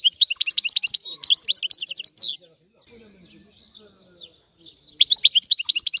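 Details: Sicilian European goldfinch singing a rare, old-style song used as a lure to stimulate other goldfinches: a fast, bright twittering trill of clipped high notes that breaks off into near silence, then bursts out again.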